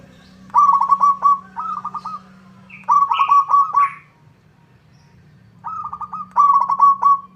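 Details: Local zebra dove singing vigorously so that a rival answers; repeated bursts of rapid, tightly stuttered high coos in clusters, separated by short pauses, over a faint steady hum.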